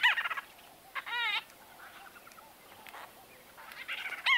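White-fronted bee-eaters trading quick rolling, trilled calls in short bursts, with a wavering run of notes near the middle and a few fainter chirps between.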